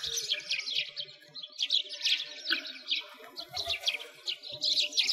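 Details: Flock of sparrows by a frozen lake in a Moscow park in winter, Russia: bursts of quick overlapping chirps and tweets, rising and falling in intensity every second or so, with faint low thuds.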